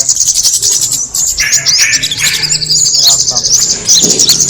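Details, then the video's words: Attracting call of the kemade bird, crowded high chirps and trills over some lower harsh notes in the middle, ending with a brief low burst. "the sound of the kemade bird attracting noise"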